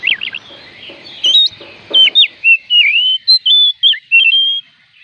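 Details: Oriental magpie-robin, known locally as kacer, singing a song meant to prompt reluctant birds to sing: clear, sweet whistled notes, slurred up and down, in quick varied phrases of short bursts, with faint low rustling early on.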